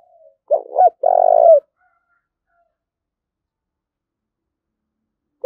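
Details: A spotted dove coos to provoke fighting. It gives one phrase of two short notes and a longer buzzy, purring coo, followed by several seconds of silence before another call begins at the very end.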